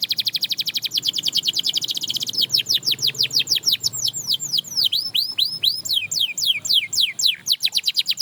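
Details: Canary singing to inspire other canaries to sing again: a fast, even trill of high notes for two seconds, then a run of quick swooping notes that rise and fall, repeated about twice a second.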